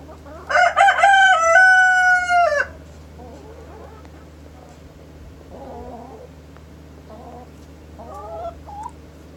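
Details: Rooster crowing in the morning: one loud, harmonic-rich crow lasting about two seconds, held steady and then stepping down at the end. Softer, scattered clucking-like notes follow over a low steady hum.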